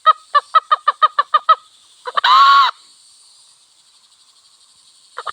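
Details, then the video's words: Red junglefowl, wild hen and cock, near a village: a brisk series of eight even clucks, then one short, coarse crow with a clipped start. A final stutter begins at the end. High insect drone throughout. "Sound of wild hen and cock"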